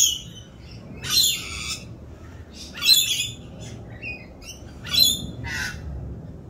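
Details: Rainbow lorikeets in mating season, more raucous than usual during their mating dance, giving three harsh, broadband screeches about two seconds apart with faint chatter between.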